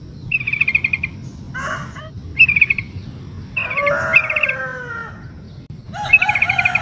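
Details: ['Sooty-headed bulbul female, in breeding condition, calling to a male; bursts of rapid chirpy trilled notes repeat, mixed with a lower, harsher, slurred call from another bird in the middle and constant low rumble.']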